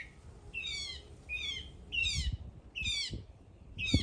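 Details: A singing bird repeats a high, stacked phrase of falling notes about every 0.75 seconds over a low, rumbling background.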